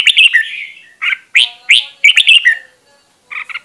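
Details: Red-whiskered bulbul decoy bird in a cage, singing short bursts of rich, rising whistles and chattering notes, then a pause before a final quick double note.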